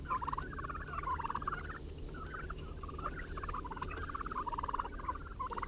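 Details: Young turkeys a few months old, part of a farm flock of four, three blue slate and one white, are just released from indoors into an outside pen with feed. They give a steady run of short, chirpy peeps and trills over low rumble.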